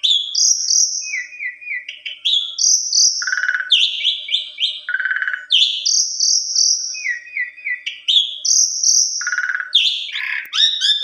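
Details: Agitated Asian pied starling singing a long song fill against a rival: repeated cycle of a high drawn whistle, a lower trill and a buzzy burst, phrases recurring about every three seconds.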